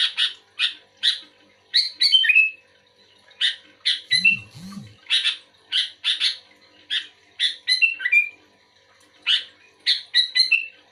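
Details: Sooty-headed bulbul, actively responding to another bulbul, gives short harsh bursts, some ending in bubbly descending warbled notes, in irregular clusters; two low grunting sounds midway.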